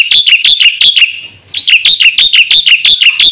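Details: Black-winged myna singing for luring and training caged birds: a rapid series of loud, ringing whistled notes with an upward flick, broken by a short pause, then resuming at the same quick pace.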